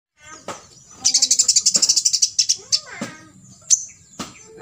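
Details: Olive-backed sunbird delivering 'full tembakan isian' song, used as a master recording for other birds to copy: a fast, very high buzzy trill of about fifteen pulses, then scattered sharp chips and lower slurred notes, with a steady thin high tone behind.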